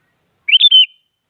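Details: Sooty-headed bulbul provoking rivals to sing with a single short phrase of quick, bubbly whistled notes, falling off at the end.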